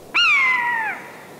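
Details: In Poland, a Common Buzzard gives its mewing call, heard high overhead over meadows and forests: a single drawn-out, cat-like mew, clear and high, gently falling in pitch over about a second.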